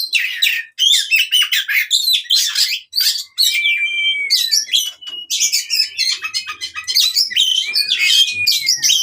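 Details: Oriental magpie-robin fighting song for training birds that no longer sing: long runs of harsh, rapid chattering notes broken by clear, drawn-out whistles that rise then slowly fall, then more energetic chatter.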